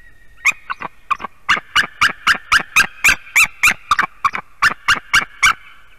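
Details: White-tailed eagle at a nest in Durbe, Latvia, calling for a nest change at 7:45 pm on 11 April 2020: a loud series of about twenty sharp, yelping notes, three to four a second, against a quiet background.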